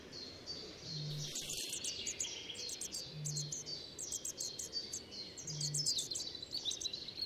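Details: European robin singing in a damp, heavily shaded Central European forest with rich groundcover: high, thin, quickly varied warbling phrases tumbling one after another, with short low hums recurring about every two seconds underneath.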